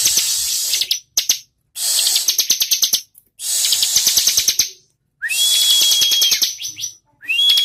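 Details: A bar-winged prinia gives four bursts of rapid, high, rattling notes, each burst lasting about a second and a half and separated by short silences, with a thin whistled note inside the later bursts.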